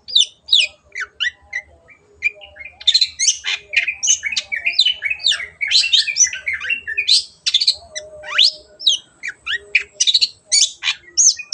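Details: Long-tailed shrike pouring out a dense, rambling 'gacor' song. Rapid squeaks, whistles, rasps and sweeping notes run almost without pause for over eleven seconds.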